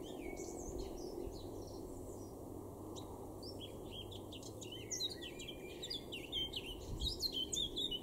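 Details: Male Eurasian blackcap (Sylvia atricapilla) singing in a garden in Weener, East Frisia, northwest Germany, April 2024: a quick, varied warble building into a louder, clearer fluty flourish, over a steady low rumble.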